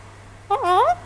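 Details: A male pet Alexandrine parakeet talking, uttering one short, speech-like word, a half-second of voiced syllables that dip and then rise, over a steady low electrical hum, amid an owner's chat.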